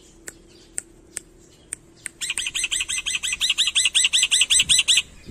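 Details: Black-winged myna, endemic to Indonesia and a skilled mimic, singing in lively full-fill style: a few isolated sharp ticks, then a long, steadily repeated series of loud buzzy chirps at a quick, even rhythm.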